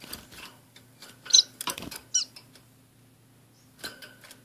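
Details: Two orange-cheeked waxbills kept with a society finch in a small cage give two brief, thin, high squeaky chips about a second apart, among soft clicks and rustling.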